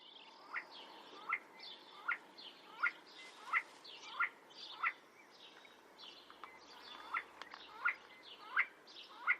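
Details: A male See-see Partridge gives its territorial song in arid rocky hills: short, sharply rising whistled notes, about one every 0.7 seconds, against a soft background hiss.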